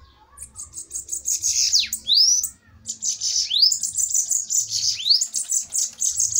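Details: Bananaquits dueling fiercely. Bursts of high, rapid, buzzy chatter are split by upward-slurred whistles, with a brief silence after the first burst before the chatter resumes.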